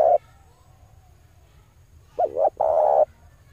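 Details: Male spotted dove call used to lure wild doves: a short coo, then after a pause a wavering double note and a long, full, level coo, against a soft low hum.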